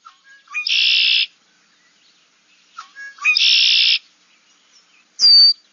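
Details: Red-winged Blackbird, back in spring at a wetland near water, gives two conk-la-ree songs: short clucking intro notes, then a harsh, buzzy trill. A thin, high, falling seer call follows, part of the species' chatty clucking repertoire.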